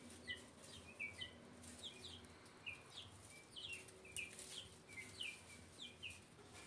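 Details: Guineafowl recorded in 2024: a chorus of short, sharp, down-slurred chattering notes from several birds, repeated in quick irregular bursts, with a low steady hum underneath.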